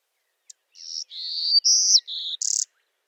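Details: A Golden-cheeked Warbler, which breeds only on the Edwards Plateau in the Texas Hill Country, gives a short, high phrase of buzzy, wheezy notes, with a longer rising buzz in the middle and a bright buzzy note at the end.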